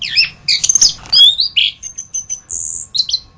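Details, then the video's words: Orange-headed thrush (anis kembang) masteran tutor song: scratchy, buzzy notes and a rising whistle, then a string of very high thin ticks and a sustained high squeal, ending with two short warbles. "Masteran Burung Anis kembang"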